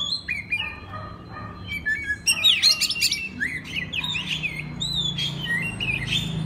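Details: Oriental magpie-robin singing a master song meant to teach other magpie-robins: a rich run of high whistles, trills and slurred notes, densest after two seconds, over a soft low hum.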